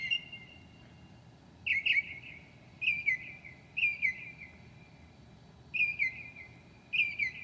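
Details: Northern mockingbird at 2 a.m. on 7/9/2008, imitating other species: emphatic two-part whistled phrases with a sharp start and a trailing tail, repeated at uneven intervals of about one to two seconds.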